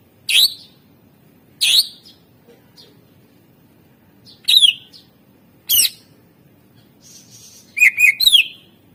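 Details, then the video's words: Greater green leafbird kept as a training bird for luring song: scattered harsh, sweeping calls spaced a second or more apart, ending in a quick burst of chips and a slurred note, over a steady low hum. "masteran cucak ijo gacor ampuh untuk pancingan burung suara isian mewah"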